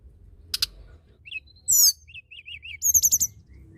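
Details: Hill blue flycatcher in energetic song: a high clicking burst, quick thin whistles, a dense buzzy rattle, then four short falling notes and a fast high trill of five pulses.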